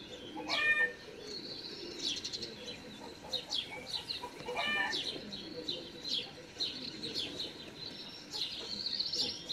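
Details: Begging great spotted woodpecker young, fed by a parent in a home garden on 13 June 2019, keep up insistent, high, repeated chirping, with a louder separate call near the start.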